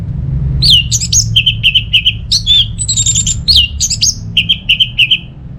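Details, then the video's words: Orange-headed thrush song for luring idle birds to sing: swooping whistles and a string of short repeated chirps, a high buzzy phrase midway, with low background rumble. "Gak Sabar ANIS MERAH Mau Nyaut Gacor❗❗❗Pancingan Ampuh Buat Burung Dirumah yang lagi Malas Bunyi"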